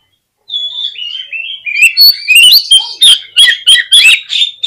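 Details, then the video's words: Oriental magpie-robin lure song to draw responses and tail display, opening with a long descending whistled slide, then breaking into a fast series of loud, sharp, repeated notes. "PANCINGAN KACER INI BIKIN CEPAT RESPONESHIFT || AUTO RAJIN BUKA EKOR GAMPANG NYAUT"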